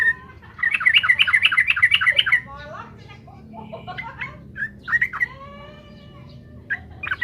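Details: Yellow-vented bulbul, locally trucukan, in lively gacor song aimed at provoking rivals: nearly two seconds of quick, bubbly, rolling notes, followed by softer fragmented chirps and sliding whistles against a faint low hum.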